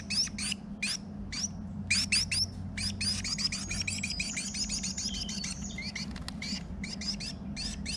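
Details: Carolina Wren pair nest building in a garage, the female calling to her mate; a rapid, dense run of high scratchy chips and chattering notes, nearly continuous, with a low background hum.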